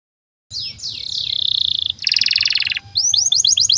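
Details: Master song of a domestic canary for teaching young canaries: descending whistles lead into a sustained buzzy tone, a dense rolling trill, then rapid rising chirps repeated quickly.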